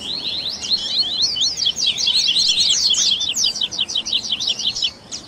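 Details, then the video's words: Baderna song of the double-collared seedeater, tui tui style, for readying captive birds: an energetic, high, buzzy twitter of rapidly repeated notes, about three a second, fading at the close. "ESQUENTE SEU COLEIRO Áudio de Baderna"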